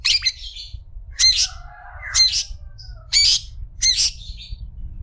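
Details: Harsh squawking notes from a long-tailed shrike, recorded as tutor material for other shrikes. Grating calls come roughly once a second, with a soft whistled slur between the first two. A low hum sits beneath.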